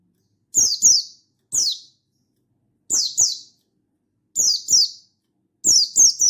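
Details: Shrill falling chirps from a mountain white-eye (Buxtoni) summoning a rival in wild-style full voice, mostly in doubled notes spaced about a second apart, ending in a fast run of three.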